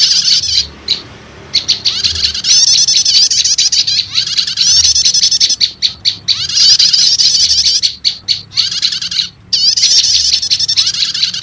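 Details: Combined prenjak lumut and prenjak setater lure calls for drawing in wild prinias: high, rapid chattering trills with quick rising notes, broken by brief gaps and runs of evenly spaced sharp chips.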